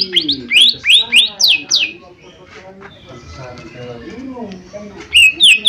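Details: Lesser green leafbird in full chattering song, used as a lure to make other birds respond: quick bursts of sharp, downward-sweeping whistled notes in rapid runs, a pause of softer murmuring lower sounds, then another fast volley.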